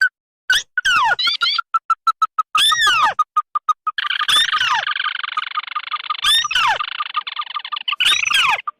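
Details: Lure recording mixing red and white tikusan crakes: evenly spaced short pips and arched squeals, then a long rough churring trill with loud falling squeals laid over it.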